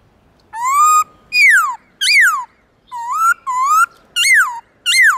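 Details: Black-throated laughingthrush, morning song in forest-voice style: about eight ringing whistled notes, some rising steadily, others sweeping sharply downward, delivered at a moderate, uneven pace.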